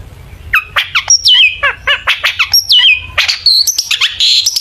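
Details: Long-tailed shrike singing a full, varied lure song meant to set other shrikes singing: quick chattering bursts mixed with sliding whistles that rise and fall, some long clear whistled notes, delivered in a dense, uneven stream.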